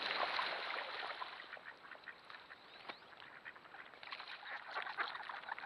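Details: Dense waterfowl chorus from thousands of mixed ducks in a flooded corn field, trail camera recording: overlapping nasal quacks and short calls pour out steadily, louder at the start and again toward the close.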